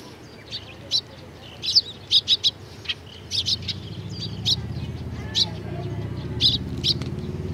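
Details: Eurasian tree sparrows collecting at food at a Tenmangu shrine on 19 April 2019; a quick cluster of four bright chirps early, then looser single chirps, while a low rumbling noise swells in the background.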